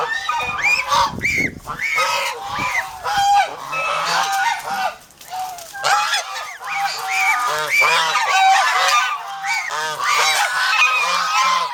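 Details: A noisy flock of domestic geese, guarding aggressively on a Philippine farm, keeps up a steady barrage of overlapping harsh honks with hardly a pause.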